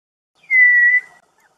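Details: Chestnut-crowned antpitta, a bold male in Rio Blanco Nature Reserve, Colombia, whistling to the female while holding food during courtship feeding; a single clean, steady whistle lasting about half a second, level then slightly falling, with no other sounds.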